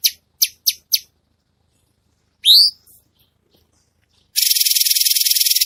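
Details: Red-whiskered bulbul, masteran recording for training cage birds in the 'tembakan' style: four high sharp chips, a rising whistled note after a pause, then a dense, rapid high buzzing trill.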